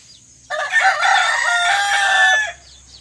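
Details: Rooster crowing at sunrise: one loud, harmonic cock-a-doodle-doo lasting about two seconds, strong from start to a level, drawn-out end, over quiet background.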